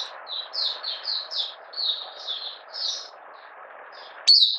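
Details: Caged Malaysian Oriental white-eye in minor moult, not in form, 31 July 2023, buka sing: softer, slurred high warbling notes in a loose string over constant hiss, ending with one loud sharp chip.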